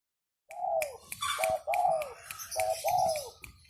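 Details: A tame, high-grade spotted dove singing: after silence, a series of clear, slightly falling coos, alternating longer arched notes with short paired ones, with some clicks and rustling in the background.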